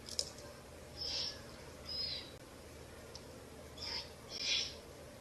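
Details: Owlets feeding on a rabbit carcass in a nest in a ruin, 30 April–1 May 2024; several short, rasping hisses, some softer and some louder, scattered irregularly over a quiet humming background.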